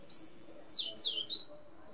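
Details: Short phrase from a European robin: a high sustained thin whistle followed by sweeping downward slurred notes and a brief final trill, over quiet background.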